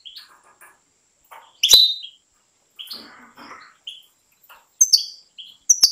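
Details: European goldfinch kept by professional breeders, from a top breeding bloodline, gives scattered high chirps and short twittering phrases with brief pauses between bursts in a quiet setting.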